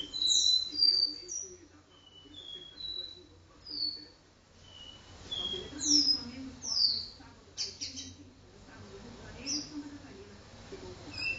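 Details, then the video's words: Caboclinho in a room delivering do-re-mi vibrasom style song: a run of clear, high whistled notes, each sliding slightly down, then louder sweeping chirps, steady low hum underneath. "caboclinho do-re-mi vibrasom vibrando suas notas na sala"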